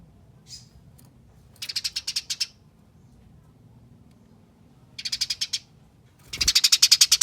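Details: Eurasian tree sparrow in fighting chatter, a lure that gets other sparrows singing: one soft note, then three bursts of fast, harsh, evenly spaced chips, the last loudest and longest, with a thump before it.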